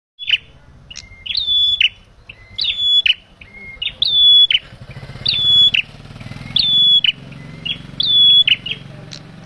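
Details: Male bar-winged prinia giving trapping-lure calls: strident whistled phrases with a rising flick, repeated about every second and a quarter, over a low rumble like a passing engine.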